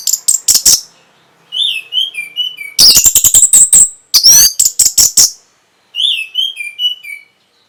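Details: Orange-headed thrush singing to stimulate breeding and responses. Loud staccato bursts and fast rattling runs alternate with soft, sweet, downslurred warbled whistles.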